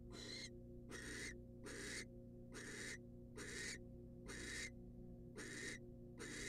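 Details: Female barn owl, wild, at a research nest box as the male brings her a rat: eight rasping hissed screeches in a steady rhythm, roughly one every 0.75 seconds, with a constant background hum.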